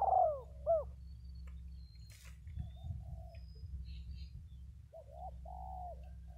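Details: Decoy spotted doves, a pair, coo. A loud hooked coo opens, then comes a stretch of rustling and murmured noise, and softer drawn-out coos return near the end. A low hum sits underneath throughout.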